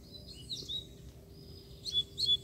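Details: A free-flying wild Double-collared Seedeater, seemingly aggressive and calling as if to fight, with a female nearby, gives quick, sharp, high whistled notes in two brief bursts, slurred and metallic, over a faint low hum.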